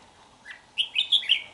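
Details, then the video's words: Red-whiskered bulbul from Hòa Bình, Vietnam, recorded 3 March 2023, giving a short song phrase: a soft note, then four bright, clear whistled notes rising and falling in quick succession near the end. "Chào Mào Mộc Hơn 2 Vụ Bộ Đẹp Gấu Chim Giọng Rất Hay Gốc Hoà Bình"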